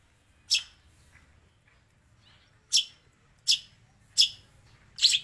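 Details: Long-tailed shrike singing with sparrow and prinia mimicry; five sharp, high chirps, the first alone, the rest repeated about every three-quarters of a second after a quiet gap.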